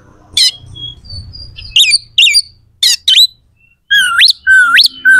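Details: Oriental magpie-robin song with sharp, coarse fill phrases, used so that rival magpie-robins respond aggressively. Isolated harsh chips with pauses give way to loud whistles that rise abruptly in a hooked sweep.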